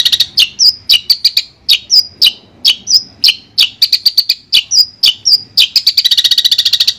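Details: Long-tailed shrike of Madura in a clean training recording: quick, varied chips and brief rising whistles in a steady stream, closing with a fast even trill.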